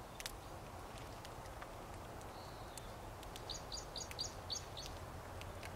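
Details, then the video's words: Feeding crossbills: a quick run of short, sharp chirps near the end, bunched about four or five a second, over a steady low rumble and scattered faint clicks and ticks. "Crossbill's Cracklin'"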